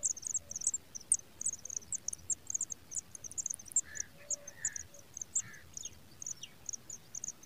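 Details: Pipit chicks on the ground in grass give thin, very high cheeps, repeated irregularly several times a second, with a few lower chirps midway through.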